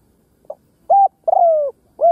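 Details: Decoy spotted dove calling to provoke wild doves: a soft opening pip, a level coo, a long slowly falling coo and the start of another coo, all loud and close.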